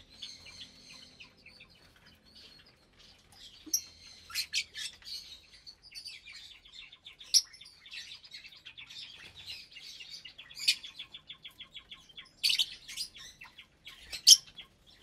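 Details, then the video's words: Around 25 lovebirds of parblue, euwing, opaline, lutino and albino colour types, breeding in a cheap aviary at meal time, January 2023; dense high chirping chatter from many birds, with louder shrill bursts toward the end. "Lovebird Meal Time"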